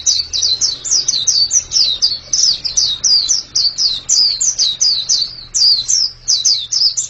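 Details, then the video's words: White-eye delivering rapid high chirps in rhythmic groups, each note a sharp downward slur, the phrases separated by brief gaps; faint low hum behind. "Ini pasti pleci yang sangat super itu kicaunya"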